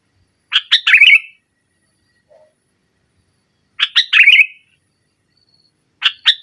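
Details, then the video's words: Sooty-headed bulbul singing hard against a rival, 'nggaruda' style, as a lure for a reluctant bird: a chirp-and-trill phrase repeated about three seconds apart, then a short chirp pair at the end. "Suara Burung Kutilang Gacor Menekan Lawan NGGARUDA, Pancingan Kutilang Mogok"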